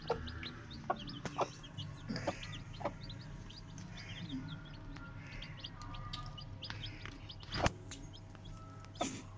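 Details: New Aseel chicken chicks kept at home, giving many short, high, downslurred peeps scattered in quick irregular bursts, overlapping from several birds, over a steady low hum and occasional knocks and thumps.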